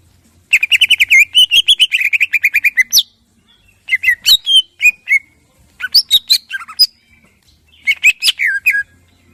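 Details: Greater green leafbird (cucak ijo) in morning song, played to provoke other birds; a long fast rattling series of whistled notes lasting over two seconds, then varied sharp high phrases in several bursts.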